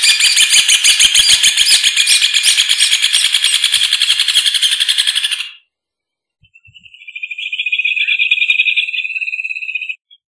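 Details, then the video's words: Rufous hornero: a loud, harsh, densely pulsed rattling series runs for over five seconds and breaks off. After a short silence, a cleaner, fast, evenly pulsed trill rises, holds steady and ends. "Hornero Canto! Hornero Llamado! Hornero Sonido! Hornero Cantando!"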